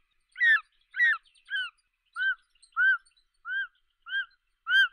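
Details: Eagle repeating short, clear, down-curving whistled chirps about twice a second. The first notes are harsher and the later ones purer, with no other sounds.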